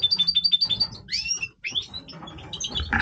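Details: Breeding song of a major-type European goldfinch: a fast run of evenly repeated high liquid notes, then swooping slurred whistles and scattered twittering phrases.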